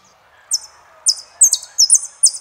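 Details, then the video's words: Song of a saffron finch in the El peregrino style: short buzzy high phrases, each starting with a sharp downward-sliding note, given in irregular bursts after a brief quiet opening. "JILGUERO ARGENTINO - El peregrino"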